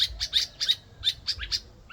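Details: In Ghana, two birds keep up their noisy calling: short, buzzy chirps, some rising slightly in pitch, about three per second with brief pauses between them.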